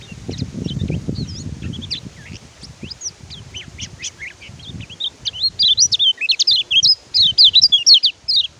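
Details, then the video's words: Oriental white-eye twittering, offered as a training recording to prompt birds that have stopped singing: scattered high thin notes over low rumbling noise at first, then a loud, quick series of sharp chirping whistles in the final seconds. "BURUNG KECIAL KUNING MACET BUNYI PAKAI MASTERAN INI"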